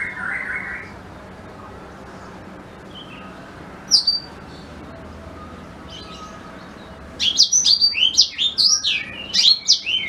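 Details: Black-throated canary, a recording for training white-rumped shamas: a few scattered soft notes and one sharp chirp, then a closing outburst of rapid, high, tumbling twitters.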